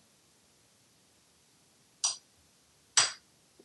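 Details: Two sharp, dry clicks about a second apart in an otherwise quiet room, with no animal voice.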